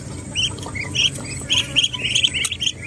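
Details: Muscovy ducks at Temerloh, Pahang, Malaysia: a quick series of high, short chirping peeps, some rising, several per second, over a steady low background hum.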